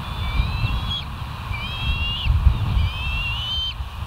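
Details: Bald eagle on a live nature camera at West End, 09/01/2023 at 07:06; three bursts of thin, high, whistled chittering notes, each series falling away at its end, over a steady low rumble of wind or background noise.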